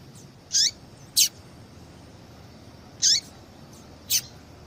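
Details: A female yellow-bellied seedeater gives calls meant to stimulate male singing: four brief piercing chips at uneven intervals, some ending in a short falling slur, against a quiet hissy background.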